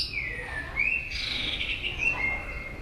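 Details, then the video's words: White-rumped shama singing many varied notes and switching between them while flicking its tail; clear whistles slide down, then rise into a long held whistle with a fainter higher buzzy layer, over a low background hum. "chòe lửa hót nhiều giọng đảo giọng đập đuôi liên tục"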